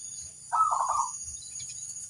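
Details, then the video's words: Single short rolling coo from a local zebra dove used as a master call to get other doves answering, a soft trilled burst lasting about half a second against light background hiss. "suara sang masteran burung perkutut - lokal memanggil"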